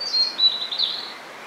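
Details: In spring at Hakone, Japan, a recently arrived summer-visiting blue-and-white flycatcher gives thin, high whistled notes. They run level and then dip, with one brief fuller slurred note near the end, over a constant hiss of background noise.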